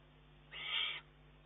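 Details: Single harsh, breathy rasp lasting about half a second from a juvenile Eurasian eagle-owl begging its mother for food, recorded 19 June 2011, over a faint constant hum.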